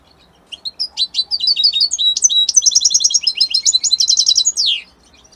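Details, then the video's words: European goldfinch, linked to Italy, singing a fast run of high, tinkling twittered notes. Bright chirps and trills follow in quick succession for about four seconds, ending in a buzzy downward slur, with no other sounds. "من أقوى تغاريد طائر الحسون الجميلة الحسون ايطاليا"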